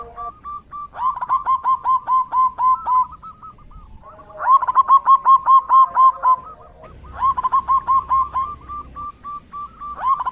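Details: Zebra dove in the rainy season delivering three phrases of fast, repeated cooing notes, each burst of ten or more notes separated by softer pauses, with fainter dove notes underneath.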